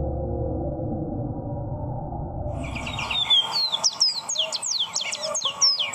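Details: Ruddy-breasted seedeaters, male and female, recorded 21 September 2019: after quiet low rumble, a rapid burst of high, thin chirps and downslurred whistles tumbling in quick succession for several seconds.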